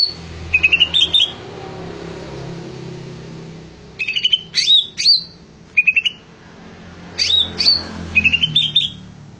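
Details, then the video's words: Greater green leafbird in lively full voice: repeated bursts of clipped, rapid high chips and bright slurred whistles, several phrases spaced a second or two apart over a low steady indoor hum. "Suara burung cucak ijo gacor"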